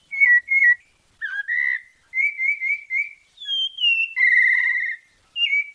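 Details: Sabiá parda thrush of Bahia, Brazil, in melodious santa fé style song: short paired whistles, then a burst of warbled notes, level repeated whistles, and a long wavering tone, separated by clear pauses.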